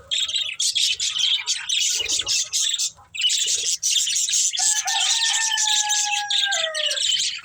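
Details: Budgies feeding on green food keep up continuous, shrill, scratchy twittering, with a long, sustained, wavering tonal call from another bird sounding over the chatter in the second half.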